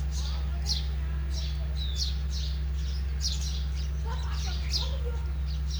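A sparrow gives short, bright chirps, roughly one every second, over a steady low electrical hum.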